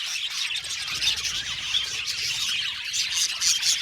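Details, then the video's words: Colony of Australian budgerigars in an aviary, many birds chirping at once: a dense, continuous high chatter of short twittering notes and bright squeaks with no pauses. "Beautiful budgies chirping sound"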